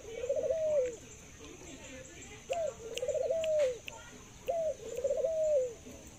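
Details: Zebra dove, a kept songbird said to 'laugh' and to have a very long coo, gives three cooing phrases: a sharp rising note, a rapid bubbling stutter, then a long smooth falling tone, repeated about every two seconds amid faint background noise.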